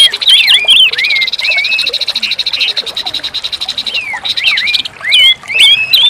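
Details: Orange-headed thrush, kept as a cage bird, singing as a training recording for a bird that has stopped singing: varied whistled phrases that slide and warble between high notes, with a dense buzzing trill running through the middle.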